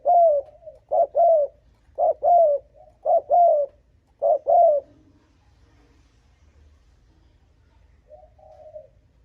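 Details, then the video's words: Spotted dove calling to provoke and lure wild rival males: six low double coos in quick succession, then quiet, with one faint, more distant coo near the end. "Âm thanh Cu gáy thúc gù kích bổi đồng ÁC LIỆT"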